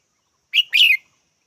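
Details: Red-whiskered bulbul call in two parts, a brief sharp chirp and then a fuller rolling phrase that slides downward, heard once against silence.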